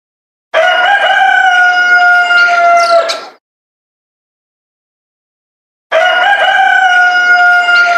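A rooster gives two long, loud, harmonic crows, each held nearly three seconds with a steady tone, separated by a few seconds of silence.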